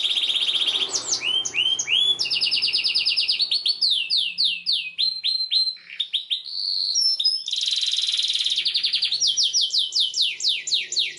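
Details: Canary singing to teach young canaries: varied fast phrases of rising and falling swoops, rapid high trills, brief whistled notes and a bright rolling trill, with a short quieter gap midway.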